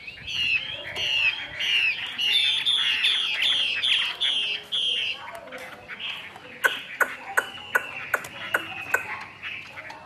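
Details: Caged Chinese hwamei in Vietnam pouring out a dense run of varied whistles and chattering phrases, then a series of sharp clicking ticks in the last few seconds.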